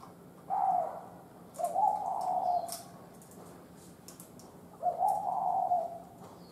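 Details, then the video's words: Spotted dove, an old wild bird of the 'thổ đồng' style, giving three low, throaty coo phrases, each starting with a stressed note and trailing off, spaced a few seconds apart over a low background hum with faint ticks. "cu gáy thổ đồng già rừng"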